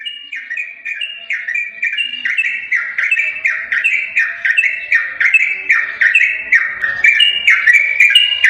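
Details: Yellow-vented bulbul song used as a lure to provoke a silent bulbul to reply: liquid, warbled phrases that dip and fall, repeated about twice a second in a steady, unbroken stream.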